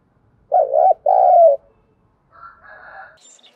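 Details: Spotted dove used as a decoy, its coo played to provoke and train wild doves: two loud, low, wavering coo phrases back to back, then quieter, higher calls after a pause.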